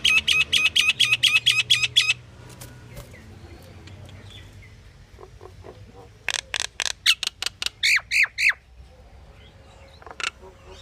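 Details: Pied myna giving a variety of calls: a fast series of harsh, buzzy repeated notes for two seconds, a pause, then another burst of loud rasping notes and chattering squawks.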